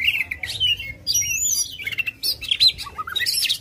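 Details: Kacer or Oriental magpie-robin sings aggressively with tail spread to draw a lazy bird into song. Clear whistled slurs, high sweeping notes and a descending series of short whistles carry through the phrases.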